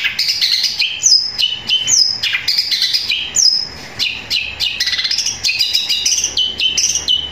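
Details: Loud, long Long-tailed shrike song blending sparrow-like phrases: rapid high twittering with repeated sharp downward whistles and short chips, delivered without pause, no other sounds.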